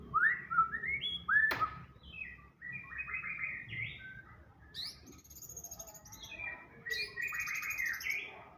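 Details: Caged white-rumped shama singing in full, varied song: rich whistled phrases and rapid chattering notes around mid to high pitch, with bursts of bright high trills, delivered in quick succession with brief pauses.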